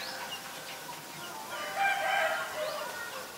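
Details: Black-collared starling recorded in Ubon Ratchathani, Thailand, on 17 April 2022, giving soft, drawn-out tonal notes with a harsher swelling phrase midway, over a faint hissing background.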